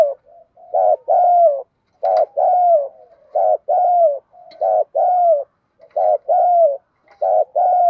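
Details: Spotted dove hen kept as a decoy, calling to excite wild males in the single-ending style. Low, husky coo pairs repeat steadily, roughly one pair every second and a half, each a short rolled note then a longer falling one.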